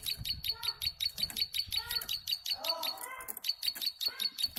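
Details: Tame plain prinia in a long singing burst, repeating high, buzzy clicking notes about three times a second; a brief gap midway while other lower, sliding chirps and faint voices sound alongside.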